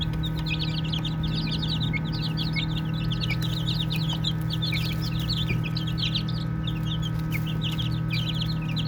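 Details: Baby chickens playing keep up a lively chorus of short, sharp, falling peeps packed closely together, with a steady low electrical-sounding hum throughout.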